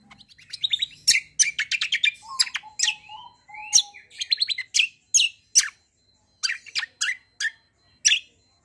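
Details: Greater green leafbird singing a long rolling combination song that mimics the kecial, a white-eye, meant to get any kecial to answer at once. High varied chirps and short trills come in quick bursts, separated by brief pauses and a few lower notes.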